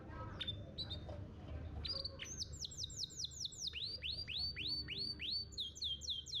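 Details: Canary master song for coaxing young canaries to sing, ngeriwik and ngalas before gantangan contests: a few scattered chirps, then a fast, regular run of high, downward-sweeping notes with a second high series above.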